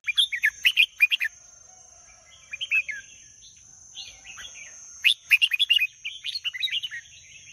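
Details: Red-whiskered bulbul pouring out rapid, cheerful whistled notes in bursts, a quieter warbling passage between, then another energetic flurry of bright chirps; a thin continuous high tone runs underneath.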